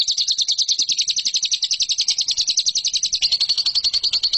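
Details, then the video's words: Training song of a lovebird for competition birds: a fast, regular chatter of rasping notes, about nine per second, then a switch to thinner, purer high chirps near the end. "MASTERAN LOVEBIRD"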